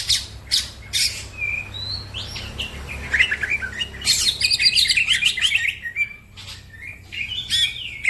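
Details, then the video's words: Green leafbird singing fast and excitedly, used as a tutor to other songbirds; sharp high chirps and short whistled notes come in scattered bursts, with other birds chirping along and a faint low hum underneath. "The green cucak bird makes noise, other birds also become gacor"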